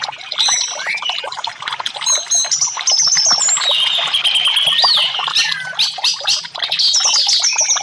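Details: Energetic song of an orange-headed thrush, played to coax silent caged birds into song; rich mix of sharp high whistles, upward-swooping slurs and chattering fragments, loud and nearly unbroken throughout.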